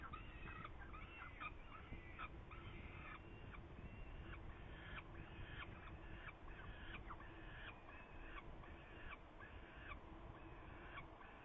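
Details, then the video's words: Recorded in Hungary on 8 May 2019 with prey involved, a Saker falcon gives a run of rasping, harmonic calls in quick irregular succession, several voices overlapping above constant low rumble. "Saker Falcon hungary 2019-05-08 Prey"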